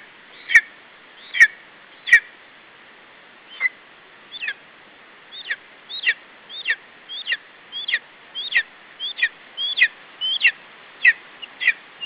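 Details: Lesser spotted eagle chick protecting its food from a parent at a nest in Estonia, 21 July 2012, about 17:12. Three loud ticked calls open, then a quickening run of high, squealing chirps about twice per second.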